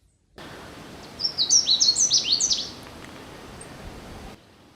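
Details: Canada Warbler (Cardellina canadensis) in spring in Sax-Zim Bog, northern Minnesota, heard from a roadside: a quick, tumbling jumble of bright, cheery high chips and slurred notes lasting about a second and a half, over steady background hiss.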